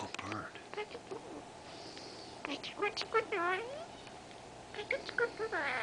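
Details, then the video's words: Three-year-old female Senegal parrot, a talkative pet bird kept indoors, produces speech-like vocal imitations: a run of quick, descending, harmonic, voice-like sweeps and chattering notes with short pauses, against a quiet room background. "Talking Bird - Senegal"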